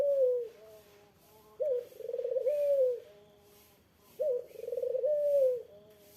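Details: Eurasian collared dove, known locally as puter, calling to make a rival respond: low phrases repeating roughly every two and a half seconds, each a bright onset, a fluttering trill and a descending drawn coo.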